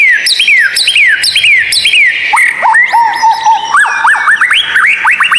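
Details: White-rumped shama singing for training caged birds: a run of quick descending whistled notes about twice a second, then a jumble of rising slurs, steady tones and upward sweeps.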